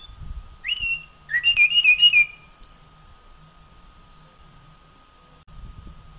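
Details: ['Common blackbird song: a low fluted whistle, then a rolling series of warbled notes, ending in a thin squeaky high twitter. A faint steady electrical hum runs throughout.']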